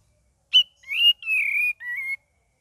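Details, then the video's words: Cream-vented bulbul singing persistently with varied chattering notes: one sharp high note, then three slurred whistles, the last two rising and falling, in a quiet background. "KAPAS TEMBAK VARIASI GACOR DAN NGERIWIK"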